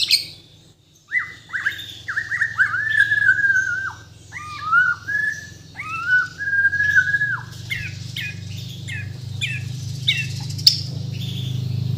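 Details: Captive Bornean white-rumped shama singing clear sliding whistled phrases and then fainter scattered notes, over a rising low rumbling background noise.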